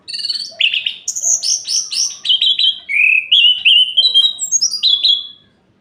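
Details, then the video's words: A long night song of an orange-headed thrush, said to stir rival orange-headed thrushes into breeding condition: a fluent string of varied whistles that start high, drop lower, then climb again, delivered almost without pause for over five seconds. "Suara Ini Bikin Gerah Anis Merah Lain"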